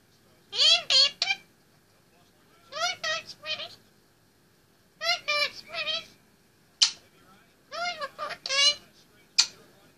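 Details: A talking male Indian ringneck parakeet, aged 18 months, perched on top of his play stand in a room. He repeats high, clear, word-like phrases of two to four syllables, about five phrases spaced by short silences.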